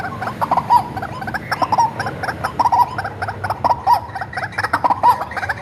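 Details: Tame white-breasted waterhen, hand-reared and used as a lure: steady train of nasal, croaking clucks, paired in places, with bright accents roughly every second and light background hiss.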